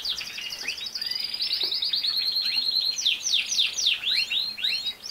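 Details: Tutor song of a canary, played daily for a young caged male separated from its parents so he copies it: rapid chattering trill followed by sharp downward-swept whistles and twittering notes.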